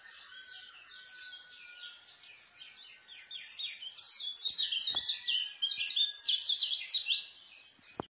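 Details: White-eye song used to tutor young birds, delivered as quick, high, tumbling chirps in a continuous run that swells louder after four seconds, with a faint steady whistle-like tone underneath and a few sharp clicks.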